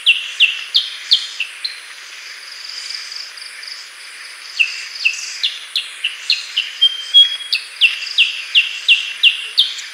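Black-headed bulbul giving rapid series of bright, high, down-slurred chips, about three a second in bursts, over a steady high insect-like hiss.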